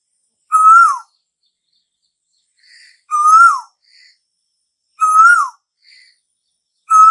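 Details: Call of the Asian koel, heralding summer: a steady series of loud whistled notes, about two seconds apart, each holding level and then dropping. Faint softer notes sit between the calls.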